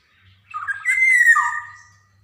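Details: Black-naped oriole from Java in full voice, meant as practice material for young birds: a few scratchy notes, then a smooth, loud whistle falling in pitch and fading slowly.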